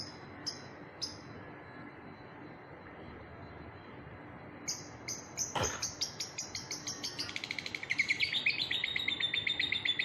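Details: Lovebird chattering song: a few isolated sharp chirps, then a fast run of clipped high chirps that quickens and merges into a dense twittering trill, with one loud click midway.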